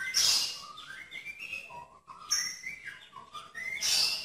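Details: White-rumped shama (murai batu) tembakan song: soft stepped whistles climbing and dropping between sharp, loud high bursts at the start and end.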